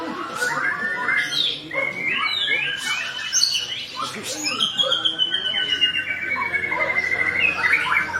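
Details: White-rumped shama with a richly varied song used for tutoring other shamas: dense tangles of whistles, slurred rising and falling notes and chattering trills overlapping continuously, with a long sweeping whistle near the end.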